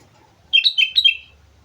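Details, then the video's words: At Mount Slamet, an energetic sooty-headed bulbul gives a single quick phrase of about six liquid, warbled notes that tumble downward, in near silence. "suara burung kutilang gacor gunung slamet"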